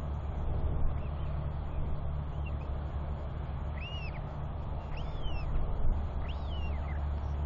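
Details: Royal albatross chick making wheeing calls while walking down a track toward its father for feeding, with a second chick calling nearby: a few clear arched whistles in the second half, under strong constant wind rumble.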